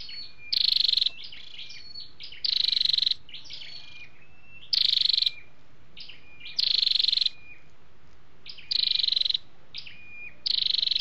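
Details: Flowerpecker (chim sâu đầu đỏ), male and female together, a lure for wild birds or for exciting caged ones. Six rapid high rattling trills, about two seconds apart, alternate with thin slurred notes and squeaks.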